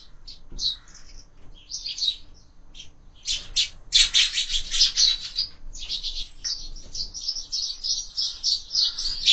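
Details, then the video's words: Sparrows at a window feeder at breakfast: scattered chirps build into a dense, excited chorus of harsh squawking chirps and twitters from several birds. "Воробьи в кормушке"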